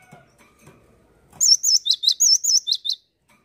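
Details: Cinereous tit (gelatik batu) song after a quiet start with faint clicks and rustling: a burst of about nine high, clear whistled notes alternating undulating trills and brief falling chips, lasting around one and a half seconds.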